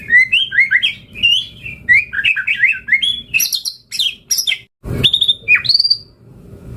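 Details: White-rumped shama in full, hard-driving song to lure other shamas into answering: a long stream of rapid whistled and warbled notes, then very high chattering trills and a few sharp upslurred whistles, one loud low thump midway.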